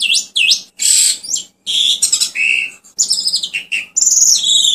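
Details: Asian pied starling (Gracupica contra) song: a rapid jumble of loud whistles, rising and falling slurs and harsh chattering notes, high-pitched and varied, in quick bursts.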